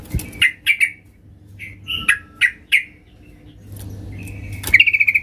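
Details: Sooty-headed bulbul female calling to the male: scattered short squawky notes and clipped chirps spaced irregularly, ending in a quick stuttering burst of rapid notes, over a steady low hum.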